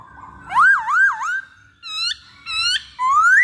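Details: Masked laughingthrush lure song: loud, rolling up-and-down whistles, then short separate phrases and a long rising whistle.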